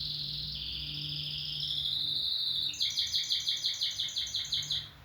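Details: Canary singing: a long, steady high whistled note that shifts pitch once, then a rhythmic trill of about twelve pulsing notes repeated evenly, over a constant low electrical hum.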